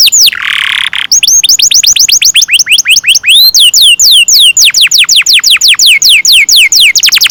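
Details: Canary in full song with a long roll, used as a lure to teach young canaries to sing: a brief buzzy note, then rapid repeated downward-sweeping whistles, about four per second, loud and continuous.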